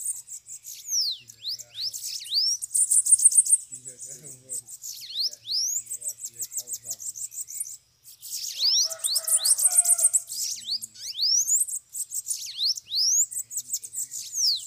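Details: Bananaquits, several loose birds at a cage during a campeada, sing loudly and close. Dense, very high buzzy trills are interspersed with rapid repeated downward-swept squeaky notes. Two strong sizzling bursts stand out, with faint low clicks beneath.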